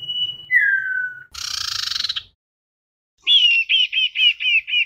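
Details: Common iora singing as a lure to call the flock: a level whistle sliding down into a lower whistle, a harsh buzzy rattle, then six quick repeated rising-falling whistled notes.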